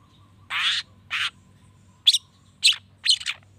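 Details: Long-tailed shrike, sung to make other shrikes respond: five separate harsh, grating bursts, the first two longer and buzzy, the last three shorter and sharper, spaced about half a second apart, with a faint hum.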